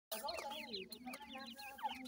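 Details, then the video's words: Francolin chicks, known locally as Irani teetar, giving thin, quick downslurred peeps that overlap one another, with a lower steady droning tone underneath throughout. "teetar chicks sound"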